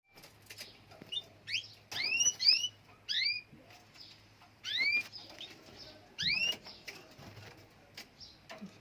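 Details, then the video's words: Group of canaries singing together: clear, whistled upward-sweeping notes, some doubled, in short bursts with pauses, plus soft chirps, wing flutters and a steady low hum. "Canaries birds in groups سلاكة طيور الكناري روعة"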